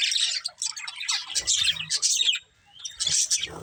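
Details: Colourful budgerigars, a breeding pair, warble and chirp in high scratchy phrases, pausing briefly near the end before resuming the chatter.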